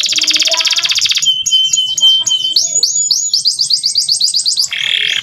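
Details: Male canary singing a clear, lively training song for young birds: a dense buzzy trill, then a rapid series of high sweeping whistled notes repeated quickly, ending in another buzzy roll.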